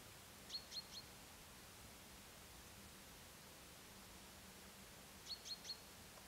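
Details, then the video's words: Little owl (Athene noctua indigena) giving two quick bursts of three sharp, high, yelping notes about five seconds apart, over a steady background hiss. "little owl - athene noctua indigena - ჭოტი"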